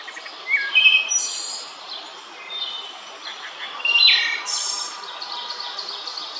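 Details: Wood thrush singing in Central Park, New York, two phrases a few seconds apart, each a few clear flute-like notes ending in a high shimmering trill, over faint hiss.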